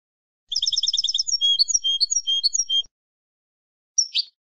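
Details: Field goldfinch singing for use in training captive birds: begins with a rapid even trill of paired notes, shifts into looser twittering phrases of bright chirps, then after a pause a single sharp descending call.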